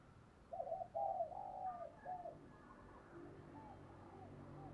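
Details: Spotted dove used as a decoy to call in wild doves, giving one low cooing phrase of stuttered notes and a long slurred coo, followed by fainter distant coos amid low hum.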